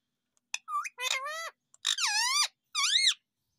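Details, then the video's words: An Indian ringneck parakeet speaks in a high, nasal, buzzy voice, saying "mummy" repeatedly: three quick word-like phrases with rising and falling inflections, separated by short pauses. "Sweet And Cute Indian Ringneck Parrot"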